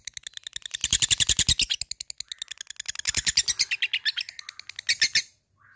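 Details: Labet bird calling out to an opponent, a fighter bird in the ngetik ngekek style: fast, dry ticking notes repeated like typing in two long bursts, high and bright, fading after about five seconds.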